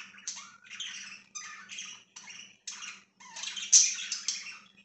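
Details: Indoor pet budgerigars producing a run of scratchy warbled chirps and squawks in bursts about half a second long, with a faint steady hum behind.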